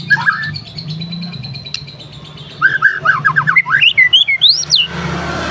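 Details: F4 captive-bred white-rumped shama singing vigorously, opening with soft whistles, then a quick run of sharp up-and-down notes climbing higher, ending in a hiss of background noise.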